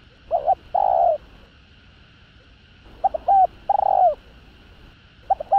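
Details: Spotted dove in full calling and cooing sequence to provoke rival males: rhythmic phrases of clipped notes leading into long, mellow, slightly descending coos, repeated about every two seconds, with faint constant hum.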